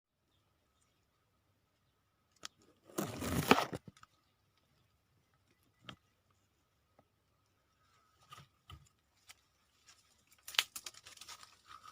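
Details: Near-silent indoor scene broken by a few bursts of rustling, tearing and scattered clicks, with no animal voices.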